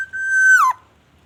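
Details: Black-naped oriole, a lively singer whose song includes white-rumped shama imitations: a single long fluty whistle held at one pitch, then curving steeply downward with a slightly harsh ending.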